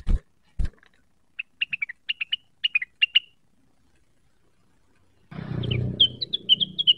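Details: Energetic cucak wilis song, provoked and seeking a rival: two dull knocks, then clusters of quick sharp chirps, a pause, and more chirps over a burst of rough rustling noise.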